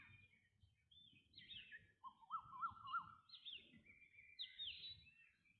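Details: Black drongo producing clear whistled swooping notes, some rising then falling, with a few sharp emphasized peaks, over faint low background rumble.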